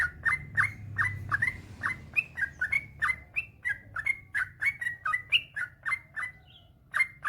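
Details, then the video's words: Master recording of a yellow-vented bulbul in continuous 'gacor ropel panjang' song, used to coax reluctant bulbuls into singing. Rapid liquid notes tumble one after another, mostly level with a few upslurred whistles, briefly easing near the end. "Suara burung trucukan gacor ropel panjang"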